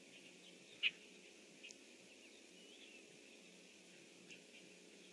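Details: Red-winged blackbird on its nest tree, recorded 25 June 2014 at about 07:08: a single sharp, high chip early on, then two or three much fainter short notes over a soft hiss.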